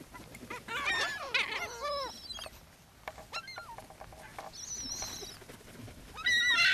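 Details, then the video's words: Feeding gulls on Brean Sands beach, Somerset, England, spring: a dense burst of overlapping squealing cries, scattered sharp notes, a steady high nasal call, then a loud harsh cry at the end, over surf. "Seagulls Sea and Sand"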